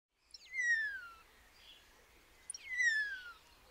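Common starling giving two clear, drawn-out whistles that slide steeply downward from high to mid pitch, spaced about two seconds apart, over a faint background hiss.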